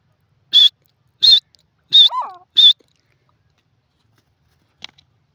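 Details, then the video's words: Grey francolin, called desi teetar, calling: four loud, harsh, high-pitched bursts spaced about 0.7 seconds apart, a softer lower trailing note after the third, then silence with a faint click near the end. "sindhi teetar ki awaaz the voices of the desi teetar birds"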